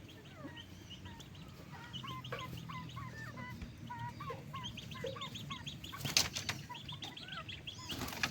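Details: Backyard chickens being raised and fed during the day, dated 06/01: many overlapping short chirping peeps and clucks pile up densely throughout, with occasional sharp louder knocks near the end.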